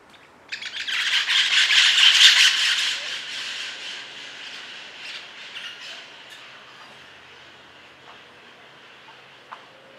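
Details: Flock of scaly-headed parrots flying over a garden at dawn: a burst of harsh, rapid, overlapping squawks that peaks early, then fades as the birds pass, with a few faint distant calls afterward.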